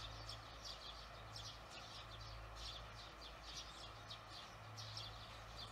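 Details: Barn swallows at dusk on 18 June 2020: soft, high twittering chirps in irregular clusters, partly buried under a steady low mechanical drone.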